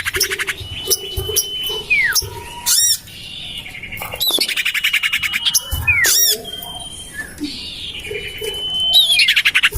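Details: Lure call of the common iora, used to attract birds: drawn-out steady whistles ending in falling slurs, set among dense, harsh, rattling chatter and scattered chirps.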